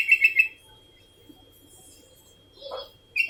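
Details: Sooty-headed bulbul with continuous calls: three fast, clear liquid notes at the start, a soft muffled sound later, and another whistled note cutting in at the end.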